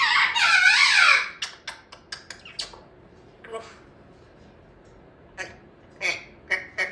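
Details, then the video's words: Young female African grey parrot, kept as a pet, practicing words and pronunciations in the afternoon: a loud harmonic warbling phrase, then scattered short clicks and squeaky chirps; a Yellow-naped Amazon chatters in the background. "Baby African Grey Talking Parrot practicing her words, she has much to say"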